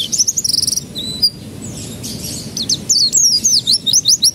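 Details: Canary lure song for getting young canaries to start singing; opens with a rapid high trill, a short lull, then a series of repeated downslurred whistles.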